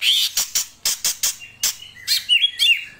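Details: Greater green leafbird (Chloropsis sonnerati) call: a string of sharp, high chips, roughly three to four a second, then a few fuller whistled notes at the end.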